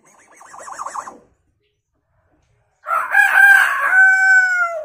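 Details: Hill myna imitating a rooster: a soft, wavering, trilled cackle is followed by silence. Then comes a loud, raspy cock-a-doodle-doo crow that ends in a long, steady, slowly falling tone.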